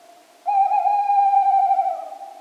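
Tawny owl giving one long, hollow, steady hoot of nearly two seconds that wavers slightly as it fades; no other sounds.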